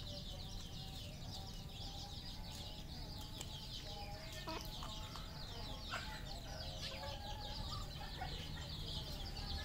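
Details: Red junglefowl on a farm in Cambodia: a dense chorus of short, high, downward-slurred chirps overlapping continuously, with lower soft clucking notes and a steady background hum.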